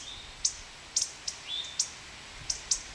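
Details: Male indigo bunting defending its nest at Kay Environmental Center, uttering spit calls: about seven sharp, very high clicks in three seconds, plus a couple of faint thin whistled notes.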